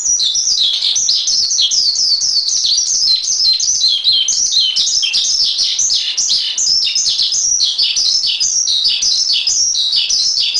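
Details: Tutor song of a Javan pied starling: an extended run of sharp, down-slurred whistles and raspy squeaks that follow one another rapidly, some phrases repeated in clusters, without pauses.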